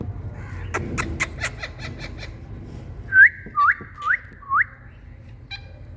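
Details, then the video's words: Indian green parrots, also known as rose-ringed parakeets, calling: soft clicks early on, then four short whistled notes, each hooking sharply upward, spaced about half a second apart. "Indian Green🍃Parrots Calling✨️ Different Sounds🥀"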